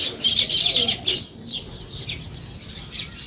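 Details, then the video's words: Morning sparrow chirping: a loud burst of high, overlapping chirps for about a second, then fainter scattered twitters. "Sparrow Morning Chirping Sounds"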